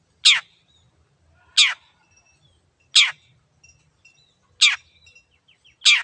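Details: Long-tailed shrike (cendet) singing energetically, used to stir silent birds into song: five loud, harsh, rasping downward notes, one about every 1.3 seconds, with faint chirps in the pauses and low background rumble.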